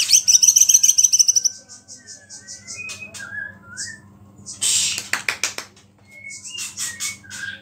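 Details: White-rumped shama song meant to provoke other shamas, with small-bird phrases mixed in: a fast high buzzy trill, then scattered whistled slurs and sharp clicks, with a steady low hum underneath.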